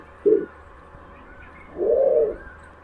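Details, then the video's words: A pigeon gives two low, soft coos: a brief hoot, then a longer, fuller rolling coo a second later. "pigeon sound"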